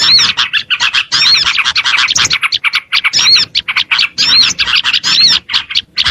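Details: Small birds on a lure recording made to draw in small birds: dense, overlapping high chirps and rapid twittering in bursts, with short arched whistled notes, broken by brief pauses about every second.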